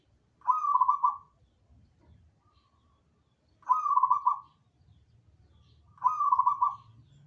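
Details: Perkutut, the zebra dove, singing soft rolling coos: three short bubbling phrases of rapid pulsed notes, each under a second, spaced about every three seconds over a low background hum.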